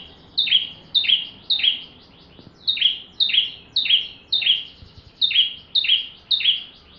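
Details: Bar-winged prinia in full song, used as a model for training magpie-robins: bright high chirps with a falling buzzy tail, repeated roughly twice a second in a steady run.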